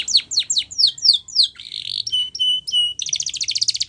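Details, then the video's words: Spanish Timbrado canary training song: six loud falling whistled notes about a quarter second apart, then a buzzy roll, clear ringing held notes and a fast rattling trill. "Canary's Most Powerful Song For Training"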